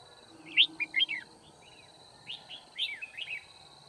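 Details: Red-whiskered bulbul used as a trapping decoy, singing to challenge rivals on 9 February 2019; two rapid phrases of sweet, slurred whistled notes, each about a second long, over a faint steady hiss.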